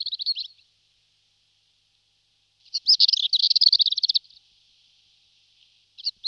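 Marmora's warbler gives short, scratchy, high warbled bursts, one lasting over a second, separated by quiet pauses.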